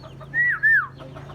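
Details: Common myna, a versatile caller able to learn human voices, gives two loud smooth whistles, each rising slightly then falling, over a steady low hum.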